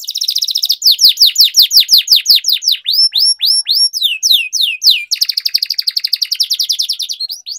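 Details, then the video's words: Canary song for training other caged canaries, continuous and loud: a buzzy trill opens, followed by rhythmic descending swept notes repeated about three per second, rising whistled upslurs, then a long fast rolling trill. "Canary Singing Training, Kenari Gacor Ngerol Panjang"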